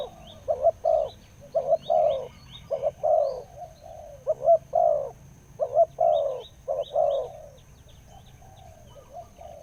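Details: Wild spotted dove known for a big 'khu-ang' voice, sought for nearly two years; rhythmic hollow coos in grouped phrases, a short note leading into a fuller drawn one, over soft background chirping.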